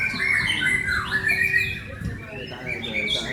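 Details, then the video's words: Indonesian white-rumped shama delivering fast, tumbling song phrases: clear whistles, a descending slur near the middle and harsh squeaky notes, with a steady low background hum. "murai mandala"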